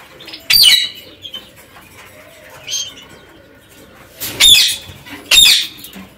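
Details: Harsh parakeet screeches from a group kept in an aviary: one rasping burst early, a softer call midway, then two loud grating squawks near the end, with faint chirps between.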